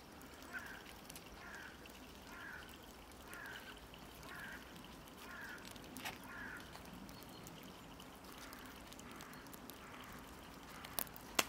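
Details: A Common blackbird in Tivoli Landscape Park, Ljubljana, on 23 January 2024, gives a run of low, soft chucking notes, about two per second, fading after several seconds; faint background hiss and a few clicks.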